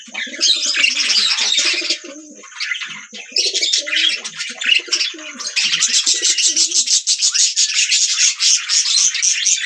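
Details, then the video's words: Several budgerigars keep up a busy, scratchy twitter of rapid high chirps. Lower harmonic murmurs come through in the first half, then the chatter grows denser and more rattling. "beautiful Budgie parrots sound | beautiful Birds chirping sound"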